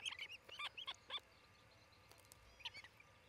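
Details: Osprey at its nest in Charlo, Montana, one of a pair building a new nest, caught on a nest camera on 27 June 2018 near noon; a rapid run of piercing high chirps, a pause, then a shorter burst.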